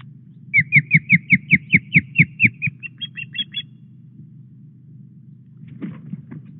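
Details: Osprey at Llyn Clywedog nest, Wales, during a morning headless-fish delivery on 4 August; a rapid run of about a dozen sharp, downward-flicking chirped whistles, fading into softer notes, then quiet with brief rustling.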